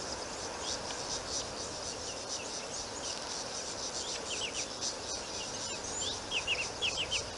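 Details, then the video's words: White-faced whistling ducks at Rosie's Pan, Africa, on 25 November 2020 give thin, clear downslurred whistles, mostly in quick runs of three, over a steady high insect-like hiss. "White-faced Whistling Ducks"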